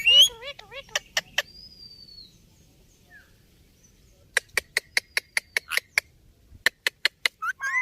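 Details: Ringneck parrot opening with a few chattering word-like syllables and clicks, then after a pause a fast row of sharp clicks, a brief squeak, more clicks, and a soft rising note.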